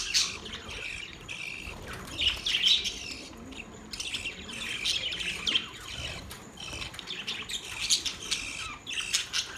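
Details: Budgies chirping steadily at low volume, a continuous mix of short whistles, squeaks and buzzy chatter from several birds.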